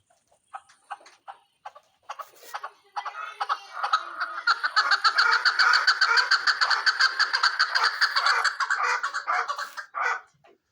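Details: Chukar partridge kept for hunting gives a loud, sustained run of harsh, rapid clucking notes, about two per second, building into a continuous chattering burst after a few scattered opening chucks.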